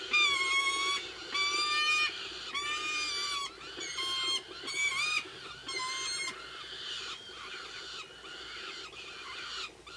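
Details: Peregrines feeding three-week-old chicks at an eyrie, Ox Mountains, Co. Sligo, late evening: a run of shorter, slightly wavering harmonic wails, fading toward the end, over a faint background hiss.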